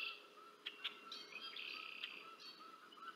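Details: Bald eagles feeding two young on the Decorah North nest, 30 March 2024: high squealing notes and sharp chirps, a drawn-out whine in the middle, soft lower repeated notes throughout.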